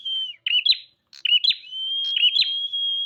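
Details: Bar-winged prinia, locally prenjak, in full song: long steady whistled notes alternating with quick buzzy twisting phrases, about three phrases in three seconds.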